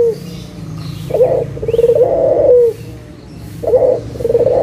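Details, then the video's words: Local Barbary dove cooing to draw quiet doves back into song: the tail of one coo, then two more, each a brief note and a long, tremulous, downward-ending purr. "SUARA PIKAT PUTER LOKAL GACOR_SUARA PANCINGAN BURUNG PUTER MALAS BUNYI AGAR BUNYI LAGI"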